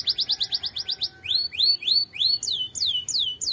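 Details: ['Canary training song: a fast series of short high notes gives way to slower, louder curved whistles that rise and then fall, repeated roughly twice per second.']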